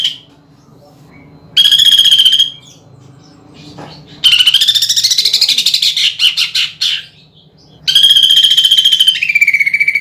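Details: Greater green leafbird, a cage bird, singing a lure song with inserted imitations of woodpecker, kingfisher and fighting sparrow, with rough rolling bursts. Loud high whistled phrases alternate with a rapid rattling stretch and short pauses.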